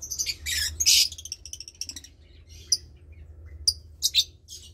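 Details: Nestling lovebird, about 20 days old, from Parblue Turquoise and Euwing Blue Opaline parents, sharing the nest with a sibling: loud raspy bursts at the start, then scattered high chirps and short squeaks over a low hum.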